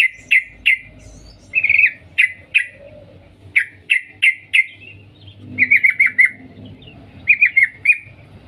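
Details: A female sooty-headed bulbul calls the male with short, sharp single chips spaced evenly, then quicker clustered chatters of four or five notes toward the end; little else is heard.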